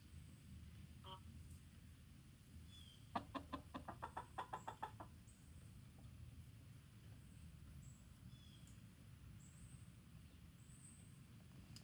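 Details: Chicken alarm call warning the flock: a quick run of about ten sharp, evenly spaced clucks lasting two seconds, set against steady low rumble and scattered thin whistles of other birds.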